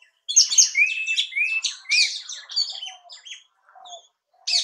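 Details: Orange-headed Thrush from India, giving a rich, fast run of varied whistled and buzzy notes, some rising slurs, poured out for about three seconds before trailing into softer scattered notes and a brief new burst at the end.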